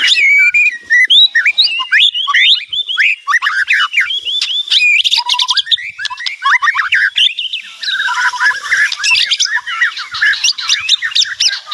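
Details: Long, loud White-rumped shama song full of varied phrases: fast sequences of sharp chips, downslurred whistles and rattling notes, delivered almost without pause.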